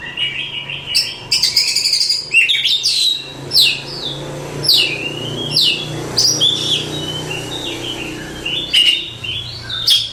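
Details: Oriental magpie-robin, a contest champion, pouring out varied whistled phrases and downward-swept notes at a steady pace, with a faint low hum running underneath.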